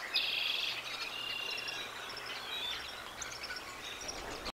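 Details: Bald eagle at the Decorah North nest, filmed by live nest camera on 4 April 2024, sounding the alarm as an intruder flies over while its mate chases it away; a brief high, thin chittering burst opens, then faint scattered chirps over a low steady hum.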